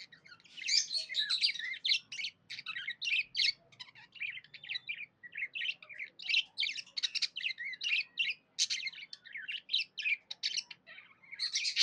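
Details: Happy pet budgerigar chirping: dense, continuous chatter of short, buzzy and whistled notes in quick bursts, running almost without pause through the whole stretch.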